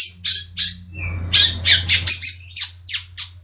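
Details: Three-month-old Madura long-tailed shrike kept as a pet and singing busily: a rapid series of harsh, rasping high squawks, several per second, with one thin whistled note and a steady low hum beneath.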